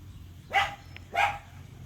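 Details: Ringneck parrots in a fight give two harsh, raspy squawks about half a second apart, each a short noisy burst with a rough tone, over a steady low hum.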